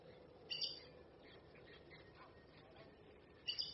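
A red-necked aracari gives two sharp, squeaky high notes about three seconds apart over a soft, steady background hiss.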